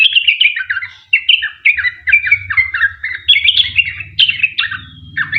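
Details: Sooty-headed bulbul in rapid chirping song, the long 'ropel' style used as a lure for other birds; descending, bouncy notes in runs, over a low humming mechanical rumble in the background.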